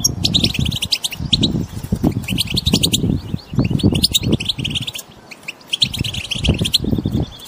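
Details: Group chirping of wild European goldfinches meant to make a silent goldfinch start singing: quick, high twittering bursts and clipped metallic notes come in clusters with brief gaps, over a constant low rumble.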